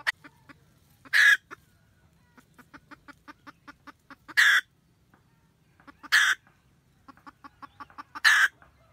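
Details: .Wild red junglefowl hen guarding her nest, cackling to call the male, recorded 2020-2021: runs of soft, evenly spaced clucks build into four loud, harsh, broadband cackle bursts about two seconds apart.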